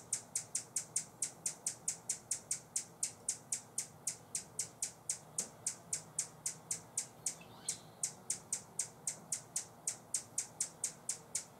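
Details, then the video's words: Buff-bellied hummingbird guarding a feeder in San Benito, Texas, on 25 October 2014, giving sharp high ticking chips repeated about four times a second in a long steady series over faint background hiss. "Buff-bellied Hummingbird warning call"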